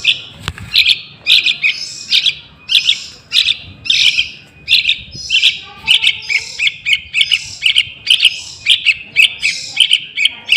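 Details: Young yellow-vented bulbul calling, used as a lure to attract wild birds; bright, sharp chirps repeated in quick, slightly uneven bursts about every half second, with a faint low rumble beneath.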